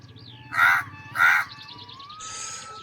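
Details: A crow perched in the shade on a branch about ten paces from the observer, unafraid, gives two harsh, rasping caws about half a second apart. Thin whistles and high chirps from another bird follow.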